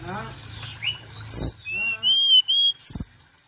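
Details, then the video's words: A fast call used to prompt tledekan gunung to call quickly: thin, high whistled notes, some long and level, in quick bursts, after a muffled, noisy opening with a voice-like sound. "Suara Panggilan Tercepat ‼️ Bikin Tledekan Gunung Cepat Bunyi"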